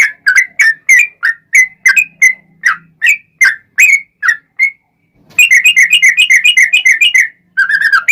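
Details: Long rolling yellow-vented bulbul song for luring other bulbuls into answering: choppy whistled phrases of bubbly notes, then a short silence and a faster, denser burst of rapid chattering notes.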